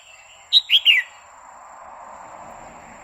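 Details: Female red-whiskered bulbul singing continuously to excite a male: three loud, quick whistled notes sliding downward, the last one falling, followed by a soft background murmur.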